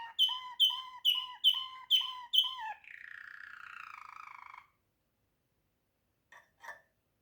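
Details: Waterslager canary: six resonant notes delivered at an even pace, then a gurgling, buzzy roll lasting almost two seconds. After a pause, two faint, clipped sounds follow.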